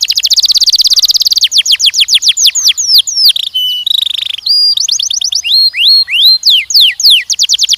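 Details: Young canaries, males and females, singing during mating training: a fast rolling trill, then rapid repeated descending whistled sweeps, brief buzzy notes and steady tones, continuous and loud.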